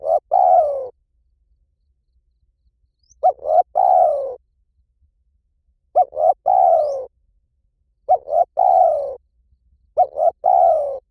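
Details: Spotted dove calling in the lio tan style, played as a lure so trained doves answer: five phrases about every two seconds, each two quick short notes then a drawn-out, slightly descending coo, in a quiet setting.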